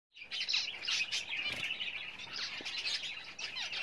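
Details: Java sparrows building a nest at breeding time give a dense run of high, bright chirps and twittering notes, several birds overlapping with barely a pause.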